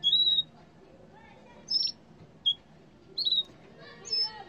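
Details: Yellow canary giving clear, high, flat whistled notes: a longer one at the start, then four shorter ones spread across the remaining seconds, with quiet pauses between them and a faint hum behind.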